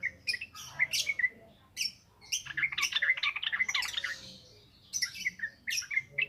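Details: Yellow-vented bulbul singing ngropel ngalas for luring captive birds: clipped chirps lead into a dense, rolling warble in the middle, then scattered bright notes.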